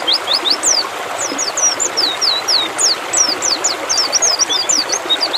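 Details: White-eye (pleci), apparently a female used to stimulate males, sings rapid, very high, thin slurred notes tumbling up and down in a continuous twittering stream, over a steady rushing hiss like running water.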